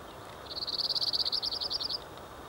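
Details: A male cirl bunting sings at Cuq (Tarn), France, on 24 October 2014: a dry, rattling trill of about sixteen quick, identical high notes lasting a second and a half, over faint background hiss.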